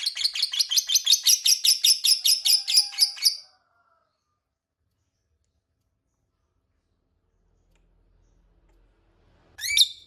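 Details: Lovebird giving a long ngekek, a lure meant to make rival lovebirds answer: a rapid burst of harsh, high chattering notes, about five per second, lasting three and a half seconds, then silence and one brief sharp call near the end.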